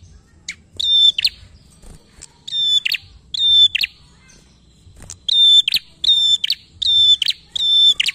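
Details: A prinia recording, used as a lure to get other prinias singing, gives loud, rapid buzzy-chipping bursts, high and metallic, each under half a second, repeated about every second with brief pauses between groups.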